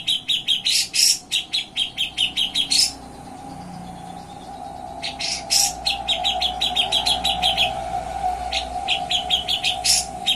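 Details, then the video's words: Grey-cheeked bulbul singing actively in the nyepik ngetril style, used for tutoring songbirds: fast runs of short, sharp chirped notes repeated about three times a second in bursts, with a pause between, over a steady low hum. "CUCAK JENGGOT GACOR BESET NYEPIK NGETRIL"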